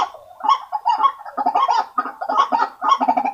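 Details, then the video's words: White-breasted waterhen call played as a lure to attract waterhens: a short run of harsh, gabbling croaks, rising in intensity and repeated in quick clustered notes. "Suara Pikat Ruak Ruak Paling Ampuh"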